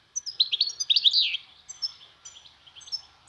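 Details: European goldfinch, kept as a cage bird in spring, singing in Turkey: a quick twittering run of bright, tinkling notes for over a second, then scattered thinner chirps and short twitters.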